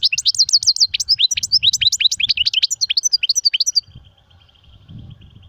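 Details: European goldfinch singing a fast run of bright high twittering notes, with some tinkling trills, for nearly four seconds, then a faint thin buzzy trill and low background noise.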